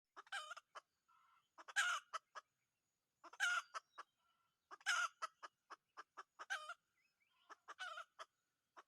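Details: Wild red junglefowl rooster used in junglefowl decoy hunting: short harsh broadband bursts about every one and a half seconds, mixed with sharp dry clicks and brief clucks between them.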